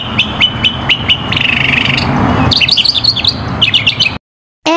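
A mockingbird sings a varied run: quick repeated chirps, a buzzy stretch, then jumbled high whistled notes, over a low background rumble.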